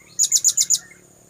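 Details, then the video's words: Lure call of a blue-crowned hanging parrot, used to attract birds: a quick run of five piercing, very high, clipped notes spaced evenly in under a second, over a quiet low hum. "Suara pikat burung serindit"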